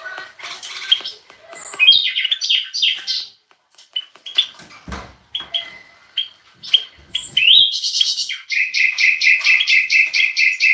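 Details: European goldfinch song, with bulbuls present, meant to stimulate silent birds and young to sing: jumbled tinkling twitters and chirps, building to a rapid rhythmic series of bright repeated notes.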